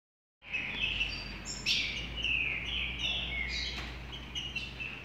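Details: Rufous-collared sparrow singing a 'trinca' style song: high, thin whistled notes sliding and slurring, with a few sharp higher accents, over a steady low hum and background hiss.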